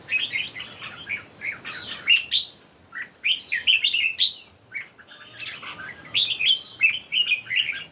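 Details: Three red-whiskered bulbuls sing against one another in clustered runs of sweet, slurred whistles. Each phrase group lasts about a second, separated by brief silent pauses.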